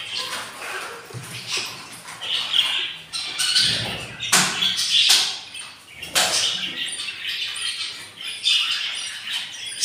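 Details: Budgerigar chicks, three newly hatched in a breeding nest of eight eggs, four days old and hungry; dense, raspy high-pitched chattering and squeaks with a few sharp thumps.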